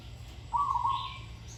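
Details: Zebra dove in training with a pleasing voice: one short, rapidly rolled coo phrase, slightly descending, with a faint higher bird note behind it.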